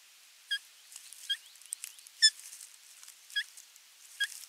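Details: Osprey at nest camera 3 on 27 June 2022 as fish is delivered and the chicks are fed. Soft, thin whistled notes spaced about a second apart over a faint background.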